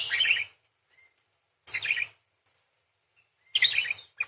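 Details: Lively parakeet described as gacor, singing long 'nembak' phrases with 'beset crecet' rolls; three short, harsh, buzzy chirping bursts about every two seconds, separated by near silence with a faint thin whistle.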